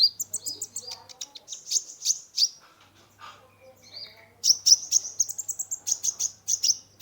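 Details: Kolibri ninja (brown-throated sunbird) in vigorous varied song as therapy for stressed caged birds: fast high chirping runs, a brief quieter gap with a lower whistled note, then another rapid high series.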